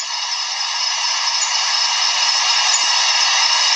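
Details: Sooty owl at night giving a long, harsh, hissing screech, steady and rasping, growing slightly louder toward the end; a call known as scary, the species also called the wailing woman bird.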